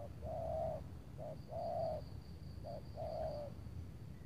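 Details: Spotted dove in an overcast late afternoon before rain at Tangerang, during dove trapping with a veteran decoy bird, targeting a big-bodied, loud-voiced wild bird. A low, hollow coo phrase, a short note then a longer one, repeats three times about every 1.4 seconds over a steady low rumble and a faint high hum.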